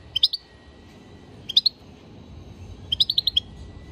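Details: European goldfinch chirping: three clusters of rapid, high, bright twitters, the last burst longest with about six quick notes, over a quiet steady hum.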